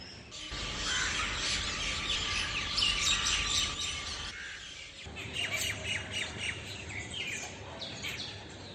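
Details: Several rose-ringed parakeets in flight overhead just before dawn, 3 May 2020, from a terrace garden in South Delhi, giving harsh, screechy squawks in rapid overlapping bursts over a steady electrical hum.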